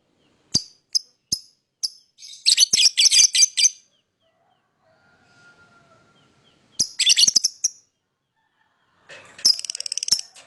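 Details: Lovebird chirping: a few sharp single ticks, then a dense chattering run of harsh, high notes, a pause, another short burst and a final rapid rattling series.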